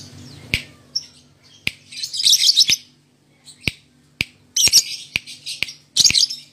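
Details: Male lovebird kept in a cage in Indonesia, giving bursts of high, bright chattering chirps separated by short pauses, with sharp clicking taps between phrases.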